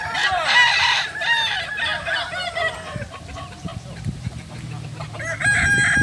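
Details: Kokok Balenggek roosters from Solok, West Sumatra, at a crowing practice session. A dense crow of quick looping notes fills the first three seconds, then fades into murmuring before a fresh crow rises at the end.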